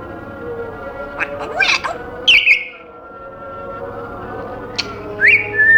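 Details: Caged African grey parrot producing scattered noises: a noisy burst, then a clear descending whistle, a pause, and later two more brief rising whistles, over a low indoor hum.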